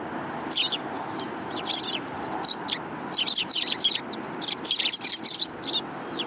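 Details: A flock of city sparrows comes for food on 30 November 2015. Repeated bouts of high, sharp chirping from several birds alternate with brief pauses, some calls overlapping densely.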